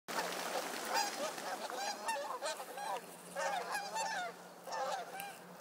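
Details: Flock of geese taking flight from a pond in west Edmonton, a gaggle becoming a flock; many overlapping nasal honks in dense, irregular bursts throughout, with a steady low hum underneath.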